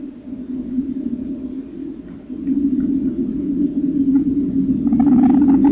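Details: Common kingfisher chicks in the nest on 30 April 2014, eyes opening and first pin-feather sheaths shedding, give a continuous low, buzzy churring drone swelling toward the end, with a few faint higher clicks.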